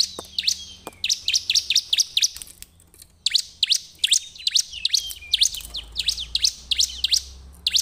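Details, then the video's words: Bar-winged prinia singing as a lure: a steady, fast stream of sharp, high flicked chirps, briefly pausing around the midpoint before resuming at the same brisk pace. "pancingan ciblek terbaik untuk memancing ciblek gacor"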